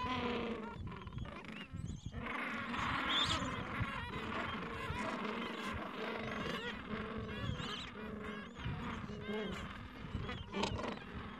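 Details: Busy gentoo penguin breeding colony, Falkland Islands, mild afternoon, adults caring for chicks aged two to three weeks at their nests; dense overlapping harmonic squawks and brays run continuously, with brief high chirps over a low background rumble.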